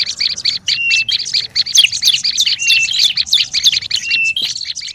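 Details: Noisy olive-backed tailorbird calling used as a lure: rapid, crowded high chips and chattering notes, broken by a few brief level whistles, with one short pause just past four seconds.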